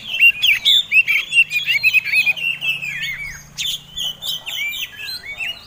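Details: Oriental magpie-robin fighting song used to provoke other birds, from a caged competition bird: fast, loud sequence of rising and falling whistled notes, then scratchy high chirps and squeaks, with a faint low hum behind.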